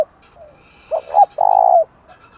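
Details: Spotted dove giving a thúc gù cooing phrase used to excite wild birds and decoys: a faint low note, two short hooting notes, then a longer, throbbing, buzzy coo that slides down at its end.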